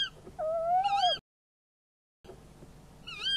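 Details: Tawny owls at a nest camera during a prey handover, 11 February 2016 at 23:44: a drawn-out, rising, mewing call lasting almost a second, then a second similar call after a pause, over a faint background hiss.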